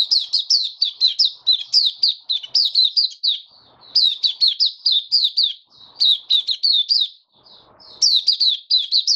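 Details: Opening song of a white-eye, recorded 23 March 2022 in warm humid weather: long runs of rapid, high, twittering notes tumbling one after another, separated by short silences and faint soft thuds.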